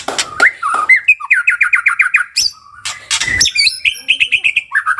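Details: Song of the white-rumped shama (murai): repeated rising notes in fast series, a level whistle, harsh clicks, and further runs of quick identical chips.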